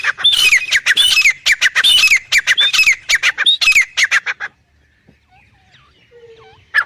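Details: Black francolin pair, male and female (Irani teetar), delivering a fast run of harsh, scratchy calls with slurred accents for about four seconds, then near quiet with faint chirps and a final rasp.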